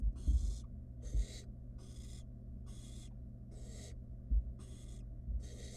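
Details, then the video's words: Wild barn owl nestling in a monitored nest box, playing with food its mother delivered, gives a run of seven harsh, breathy hisses about a second apart, with soft low thumps of movement underneath. "Barn Owl nestling plays with its food that Mom delivered it."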